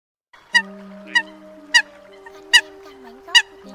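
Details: Eurasian coot (Fulica atra), lone bird separated from its flock during night migration season, gives five loud, sharp, nasal 'kowk' contact notes spaced under a second apart, over a low steady hum.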